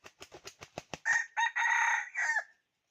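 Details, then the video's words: Decoy junglefowl rooster used to lure wild fowl: a run of short clucks speeding up, then a loud harsh crow in several segments, the last drawn out and falling, in a quiet setting. "Cuab qaib 2021 tuaj zoo ไก่ต่อมานต่อเข้าดี"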